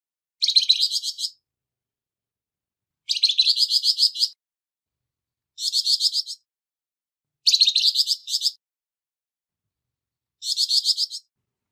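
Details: Flamboyan bird, harsh-voiced, used for tutoring caged songbirds: rough, rasping chattery phrases of quick repeated notes, five bursts of about one second spaced two to three seconds apart, clean with no other sounds.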